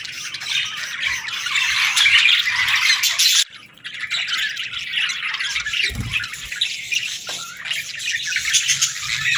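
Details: Budgerigar chicks calling for food: fast, harsh squawking chatter from several young birds, briefly dropping out midway before resuming as a continuous raspy chorus, with a soft knock.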